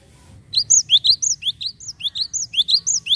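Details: Java sparrow lure call for untrained birds: a quick run of high, sharp upslurred chirps and tweets, about three each second, over a faint low rumble.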